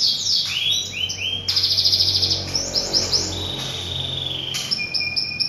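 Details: Canary singing a varied lure song meant to get other canaries singing fast: quick downward-curving notes, a sustained buzzy roll, and clear high whistled tones, all delivered in rapid, shifting phrases.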